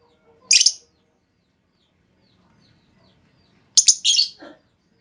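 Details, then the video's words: A female lovebird calls to provoke a long trilling response from other lovebirds; one short harsh squeak, a long pause with faint background murmur, then a scratchy double chirp sliding down into a lower rasp. "Pancingan Burung Lovebird Betina! Bakal Langsung Respon Lovebird Segala Kondisi Auto Ngekek Panjang"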